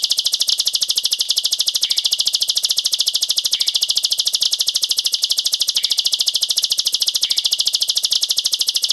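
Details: Bar-winged prinia (Prinia familiaris) song: a fast, unbroken, densely packed stream of high, dry, buzzy notes with a few soft lower chirps every couple of seconds. It is offered as a tutor recording for young birds.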